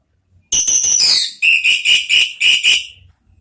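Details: An orange-headed thrush gives four quick, loud chattering notes, then five longer, high, piercing whistles about a third of a second apart; used as a lure to prompt singing; recording slightly harsh.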